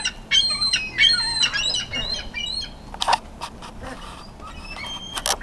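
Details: Ringtip and Iceland gulls crowd a food source in a frenzy, larger birds fighting others; dense overlapping squealing and squawking calls, loud and irregular, with scattered knocks and clatter.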